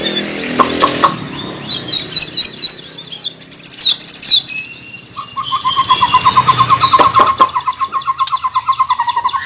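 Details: White-rumped shama song: high jumbled chirps and whistles, then a long low rapid trill held for several seconds.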